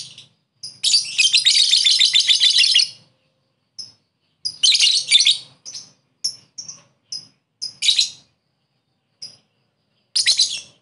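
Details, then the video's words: Lovebird lure calling a rival in ngekek style: a long, fast, rattling chatter of about two seconds, followed by scattered short high chirps and further brief chattering bursts. "Pancingan lovebird memanggil musuh ngekek"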